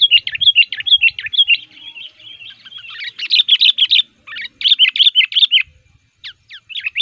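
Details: Sooty-headed bulbul, described as fired up and actively pressing a rival, used to lure wild males in the forest. Dense bursts of bubbly, chattering high notes, run together in fast, uneven strings with brief pauses.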